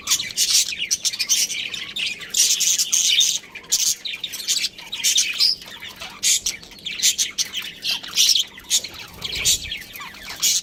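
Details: Budgerigars, a breeding pair, keep up a long busy stream of scratchy chirps, squawky notes and fast warbling, briefly dropping off midway before the chatter resumes in choppy bursts.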